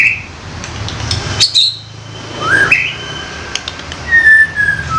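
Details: White-rumped shama, a young forest bird giving loud 'koar koar' song used for luring: a short whistle, a sharp upward-sweeping note and a later clear high whistle, with clicks and low rumbling between phrases.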